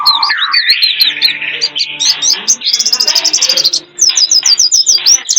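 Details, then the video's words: Lure sound for attracting wild birds, Indonesia: a busy mix of high twittering notes and buzzy trills, ending with a fast run of quick, evenly spaced chirps. "Pikat ampuh,untuk pancingan burung liar"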